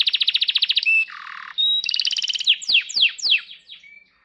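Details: Canary song with a rapid high trill, a lower buzzy tone, a steady whistle, then a string of quick downward-sweeping notes fading at the end.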